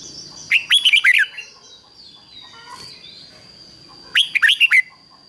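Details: Red-whiskered bulbul used as a decoy, singing to call wild bulbuls: two short bursts of rapid, slurred whistles about three seconds apart, a faint scratchy noise between, and a thin constant high whine.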